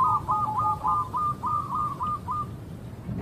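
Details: Young local zebra dove with a thick, full voice, singing actively as a lure for other doves: a continuous run of short, stuttering coo notes near one pitch, soft and slightly muffled, with low background rumble.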